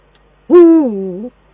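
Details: Eurasian eagle-owl at the nest in the Eifel, 22 December 2012, during a male-female duet: one loud, harsh, drawn-out call lasting under a second, steady then sliding lower at the end.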